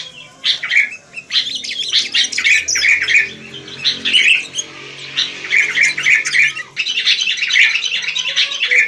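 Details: Wild sooty-headed bulbuls in a lively chorus: bright, chattering, warbled notes in quick bursts, nearly continuous with short pauses, no other clear sounds.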